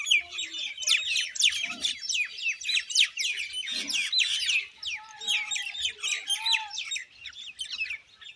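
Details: Dense, rapid chatter from Common Indian mynas: sharp downward-sweeping chirps and squeaks tumble over one another, with a couple of low croaks and a brief level whistled note later on.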